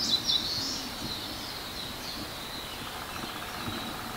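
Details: Eastern crowned warbler, adult singing while young possibly call near the ground in dark forest before dawn, 30 May 2019, Mount Shiraki, Hiroshima, Japan; a quick burst of thin high chirping notes opens, then faint high tones trail over steady forest hiss.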